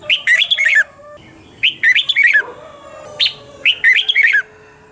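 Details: Morning training song of a red-whiskered bulbul, double-twist voice style, meant as a decoy for other birds. Lively twisting warbled phrases, three longer and one short, following closely with brief gaps.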